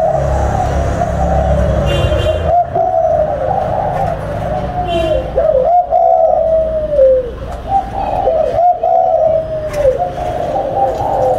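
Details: Captive spotted dove breeding pair number 11, recorded at ten in the morning: soft, low coos wavering up and down in a steady band, over a deep rumbling background drone and a few faint higher chirps.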